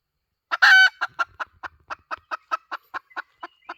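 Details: Lure call of a hen: opens with a loud harsh squawk, then a long even series of short clucks, about five per second, slowly fading.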